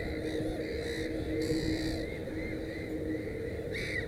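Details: At a black-headed gull nest holding three chicks, short arched nasal notes repeat about twice a second. One louder, harsher call ends the run, all over constant low background noise.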